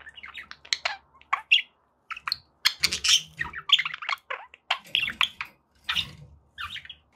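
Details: Pet budgies warbling and chirping in fast, varied high notes, scratchy squeaks and clicks, with occasional low knocks in the background.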